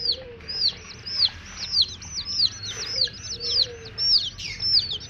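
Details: Baby chicks, coloured, peep insistently: bright, high notes each falling sharply, repeated roughly twice a second and overlapping from several birds, against faint low background noise.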